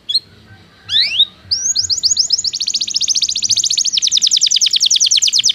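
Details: Belgian canary song used for training canaries that do not sing: a few quick rising slurred notes, then a long, fast, even trill of high, buzzy repeated notes running to the end.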